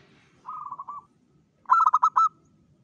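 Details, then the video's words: A lively local zebra dove gives a lure song to draw in other zebra doves. A soft, wavering whistle is followed by a louder, stuttering run of four or five bubbling notes that ends in a short whistle. "PANCINGAN SUARA PERKUTUT LOKAL GACOR PEMIKAT SEMUA JENIS PERKUTUT"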